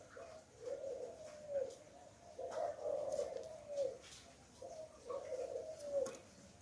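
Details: Spotted dove used to lure wild doves, 'Hạp Bổi' voice style: quiet, hollow three-part coos repeated about every two seconds over a steady background hiss.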